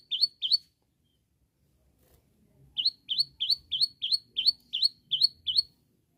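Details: Long-tailed shrike calling rivals to set other shrikes singing: two sharp upward-flicked high notes, a pause, then about ten identical rising chirps repeated quickly, roughly three per second, in a quiet setting.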